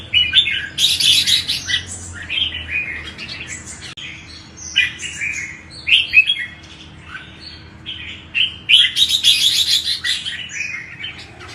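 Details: Red-whiskered bulbul song played to stir other bulbuls to sing: bright, bubbly phrases of quick whistled and slurred notes delivered in bursts with brief gaps, plus short buzzy flourishes, over faint background hum.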